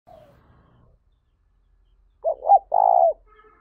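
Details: Spotted dove kept as a lure bird for training and exciting other doves, recorded 2021, gives one cooing phrase: two short mellow notes followed by a longer sustained coo, after a faint low murmur and silence.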